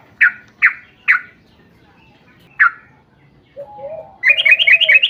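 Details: Sooty-headed bulbul song used as a lure for other bulbuls: a few loud bubbly notes spaced apart, a pause, then a low drawn whistle and a rapid run of higher chattering notes at the end.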